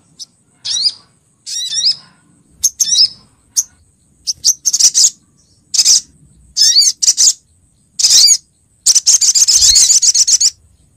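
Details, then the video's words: Lure call of a female olive-backed sunbird calling the male, from Pronojiwo, Lumajang: separate high, squeaky chirps and short twittering clusters, growing denser toward a fast chattering run at the end. "suara pikat sogok ontong betina memangil jantan"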